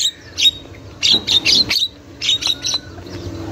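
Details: Javan myna in the wild, used as a lure to prompt young birds to sing; female chatter. Short clusters of harsh, buzzy squawks separated by brief pauses.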